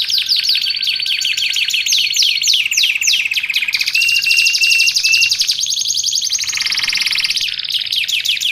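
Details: Canary singing without pause, meant for training caged birds and luring wild canaries: quick descending swoops, a steady pulsed whistle in short bursts, then thick continuous rolling trills with higher swoops at the close.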